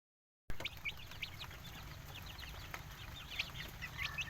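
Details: Village chickens, free-range native fowl, giving a dense stream of short, high chirping notes, many overlapping callers peeping in quick succession against a steady low background rumble.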